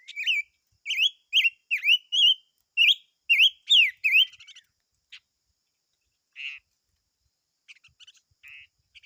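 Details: Silver-eared mesia singing a fast series of loud, clear whistled notes, each a short rising-then-falling slur, about nine phrases in four seconds, followed by quieter scattered chips and a short trill.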